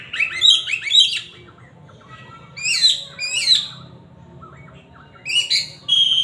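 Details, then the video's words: Oriental magpie-robin singing loudly in bursts: clusters of bright slurred whistles with buzzy edges, separated by pauses of about a second, ending on a sustained clear note. "siulan kacer ini kenceng"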